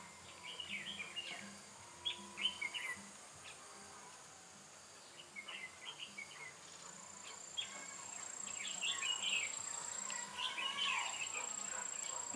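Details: Caged red-whiskered bulbul used as a trapping decoy, 8 October 2017: bursts of quick chirpy warbling phrases, some clustered, with an insect-like high whine and low rhythmic hum beneath, background noise rising toward the end.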